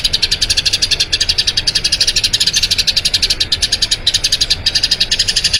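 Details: Rolling Eurasian tree sparrow song, long and continuous, intended for training other birds: rapid, evenly pulsed high chirps running throughout without pause.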